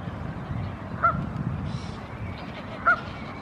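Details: Canada goose, one of a pair with young goslings by a lake, gives its gathering call to the chicks as a crow comes near: two short honks nearly two seconds apart, low steady rumble underneath.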